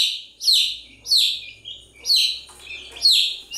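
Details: Chicks of the domestic chicken giving shrill, downslurred peeps, each lasting about a third of a second, spaced roughly every half second with softer overlapping calls.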